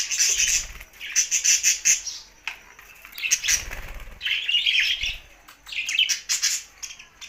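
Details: Budgies singing cheerfully in bursts of rapid, high, buzzy warbling and chirping, separated by short lulls, with occasional soft low knocks.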